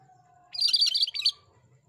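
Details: A lively singing cream-striped bulbul (Pycnonotus leucogrammicus, cucak kerinci) gives a quick burst of high, bright chirping notes lasting under a second, after a faint low steady tone.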